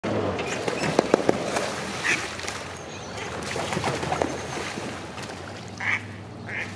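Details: Mute swan (Cygnus olor), call.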